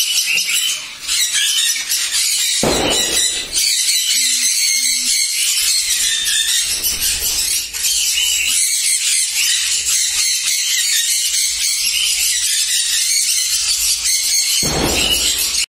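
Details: Sixteen pairs of caged sun conures at a breeding farm in West Bengal, India, keep up a loud, continuous mass of shrill screeches, with two short low electronic beeps partway through.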